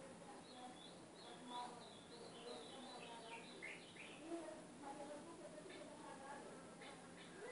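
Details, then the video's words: Song of an Ultramarine grosbeak used as training for a caged capped seedeater. A long string of soft, high, wavering notes is followed by short slurred fragments, all faint over a constant low hum and some background murmur. "Treino do meu Golinha CANTO AZULÃO!!!"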